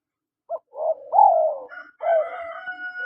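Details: Male and female spotted doves calling: a short low note, then a run of soft throaty coos rising into a longer falling coo, followed by a harsh, drawn-out crowing sound with ringing overtones from another bird.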